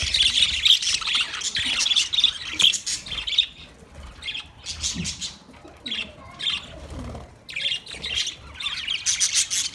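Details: Pet budgies keep up high, scratchy chatter meant for a lonely bird. Quick chirps and warbles come in uneven bursts with short quieter gaps between them.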